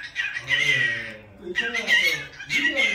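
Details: A household pet cockatiel whose calls sound like a human voice: three raspy, harmonic squawking phrases separated by short dips, mixing high grating notes with lower voice-like tones in a small room.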